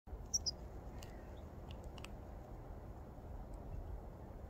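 A young European goldfinch gives two quick, high, thin chirps near the start, followed by a few faint ticks, over a steady low rumble of background noise.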